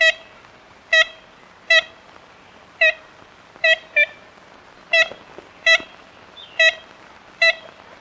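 Ivory-billed woodpecker giving ten short, nasal, tin-horn toots, spaced roughly one every second, over a quiet background.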